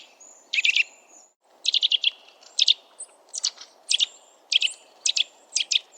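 A Eurasian nuthatch gives loud, sharp piping notes in quick bursts of three to five, repeated about twice a second over a low background hum.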